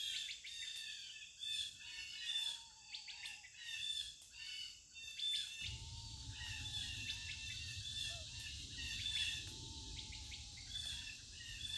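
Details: Outdoor bird chorus of rapid high chirps and tweets, with a lower drawn-out whistle repeated a few times, over a constant high insect drone; a low rumble joins halfway through.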